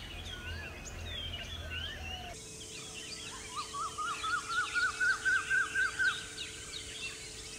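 Blue-faced malkoha giving a steady run of about eight short, rising notes, roughly four per second, over chattering birds and a constant insect drone.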